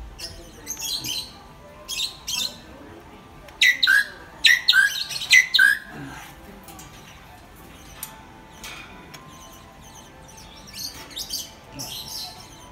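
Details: A blue-and-yellow macaw on sale indoors at a home-improvement store gives a burst of about six harsh, raucous squawks in quick succession, with softer chattering calls and indoor background noise before and after.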